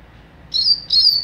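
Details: Young double-collared seedeater in mateiro style: two high, clear, slightly buzzy whistled notes, one after another.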